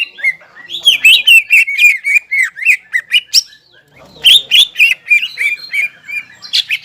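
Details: A crested greater green leafbird in vigorous song meant to arouse stressed leafbirds that stopped singing; quick series of high chirps and twisting whistles, two bursts split by a short silence.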